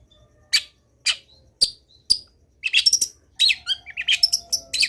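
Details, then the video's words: Long-tailed shrike singing actively in a training recording packed with varied fillers: separate sharp high notes about half a second apart, then dense chattering bursts of squeaky whistles and slurs. "CENDET GACOR BIKIN BURUNG CENDET LAIN IKUT BUNYI - MASTERAN CENDET GACOR FULL ISIAN"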